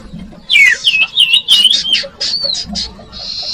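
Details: Common iora song used as a lure for young birds: a falling whistle leads into a quick wavering, looping whistled phrase, then short buzzy notes and a level buzz.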